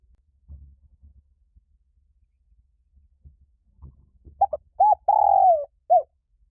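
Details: Calling spotted dove used to excite wild doves: a few quiet low bumps at first, then a double note, an arched coo, a long falling note and a last short coo.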